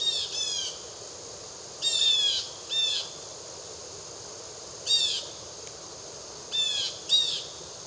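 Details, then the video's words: Harsh screeching of a blue jay, North Carolina's Triad Area around Winston-Salem: six raspy, nasal bursts, several given in quick pairs, separated by gaps of one to two seconds, with soft constant hiss behind. "Blue Jay Belting Out a Tune"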